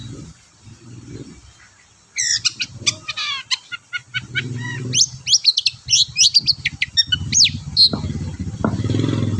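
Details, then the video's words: Long-tailed shrike in full song, used as a lure to make reluctant shrikes sing: after two seconds of low rumbling background, a rapid jumble of sharp chirps, whistled slurs and buzzy notes, with low murmuring noise between phrases. "BURUNG CENDET GACOR DORR PANCINGAN AMPUH CENDET SUSAH BUNYI"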